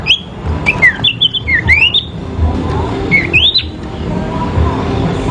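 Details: Sooty-headed bulbul in a fierce fighting duel, sung as a training aid: clear whistled notes sliding up and down, given in quick bursts and then pausing, over a steady low rumble.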